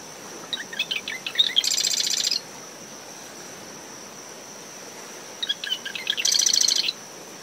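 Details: Marsh wren singing at dawn from dune shrubs around its nest at SMNWR, ten meters from the high tide line after tropical depression Claudette: two phrases of short sputtering notes ending in a harsh buzzy rattle, with a steady cricket tone, wind and waves.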